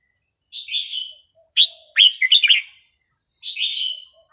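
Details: Red-whiskered bulbul song with pleasing, unrepeated phrasing, used for teaching young birds: a soft slurred whistle, a sharp note, then a quick tumbling cluster of warbles, ending with another drawn-out whistle.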